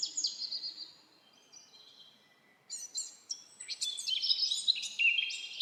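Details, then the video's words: Wild birds singing in a forest: thin, high whistled phrases that slide downward, a short pause, then a busier burst of sharp chirps and trills from several birds in overlapping bursts. "Birds singing // Forest of birds relaxing your Mind"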